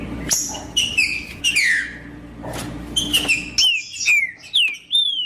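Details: Green-winged saltator (trinca-ferro) in macheando style, meant to warm up other birds into singing: loud clear whistled phrases, each note sliding downward, in bursts with short pauses, a low hum behind the first part.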